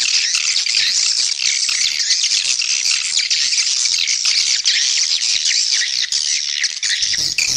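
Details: Swiftlet lure call, played to attract swiftlets and increase the population: a dense, continuous chorus of high, sharp twittering chirps from many birds, overlapping without pause.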